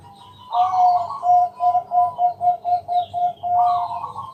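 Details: A Bangkok zebra dove's night lure song to draw other doves into singing: a rolling burst, a dozen quick even coos, then another rolling phrase. A low pulsing hum runs beneath, with faint high bird notes.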